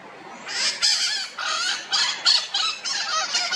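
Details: Red-shouldered macaws returning in the early morning to be sure their nest is still theirs; a steady series of harsh, scratchy screeches, about seven in three seconds, grating and loud.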